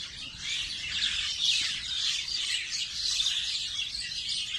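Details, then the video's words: Birds recorded in natural surroundings at Nondibari, Bangladesh: dense, continuous high chirping and twittering from several birds, overlapping without pause, with faint low background rumble. "Bird Sound Natural"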